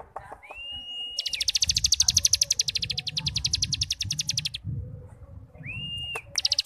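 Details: Cigun ngebrem song used to train young birds: a rising whistled note leading into a long, rapid buzzy trill, then another whistle and a short trill, over low rumbling background noise.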